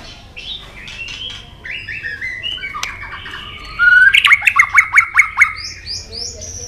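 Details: White-rumped shama provoked into fighting song: faint scattered whistles over background hiss, then a loud burst of rapid repeated notes around the middle, followed by thin high whistles.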